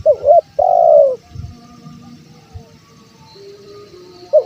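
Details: Lure call of a male spotted dove: a quick double coo then a long, slightly descending drawn-out coo, followed by quieter murmuring and low rumbles, with a fresh coo starting at the very end.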